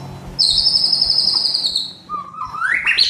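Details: Medan White-rumped shama singing to stimulate other birds in the morning: one long, piercing high whistle sliding gently downward, then a brief pause before a lower note that climbs steeply in a rising sweep.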